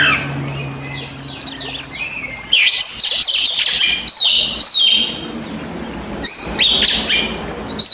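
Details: Master song of a white-rumped shama for birds reluctant to sing: rapid bursts of loud varied whistles and sweeping notes, some harsh, in phrases broken by brief pauses, with a low hum beneath.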